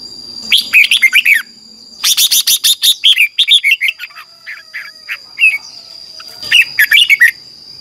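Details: Red-whiskered bulbul singing a morning song for training a wild-caught bird: bursts of loud, rapid warbled notes in three phrases, sliding between high and mid pitch, with a steady high electronic tone running throughout.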